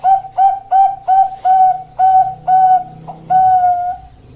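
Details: Zebra dove of the Bangkok type cooing a series of short, clear, mellow whistled coos, about two per second, then a longer drawn-out final note, over a faint low hum.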